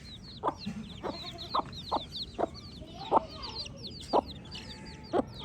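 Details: Baby chicks chirping together: a dense stream of thin, high, downslurred peeps from many birds, cut by short, louder, lower clucking notes about once a second.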